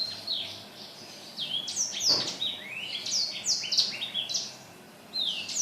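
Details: Black-throated laughingthrush singing actively, recorded 15 December 2016; quiet opening notes give way to a fast cascade of high whistled downslurs, interrupted by a short click, then a final rising phrase.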